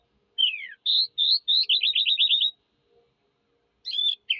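A Eurasian skylark gives high, bright song phrases: a falling slurred whistle, chirpy notes, then a quick buzzy trill, with more notes after a short pause.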